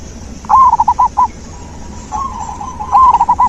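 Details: Zebra dove singing as natural therapy for a dove that has stopped singing: loud rolling phrases of five or six rhythmic coo notes, separated by softer distant notes, in a fairly quiet setting.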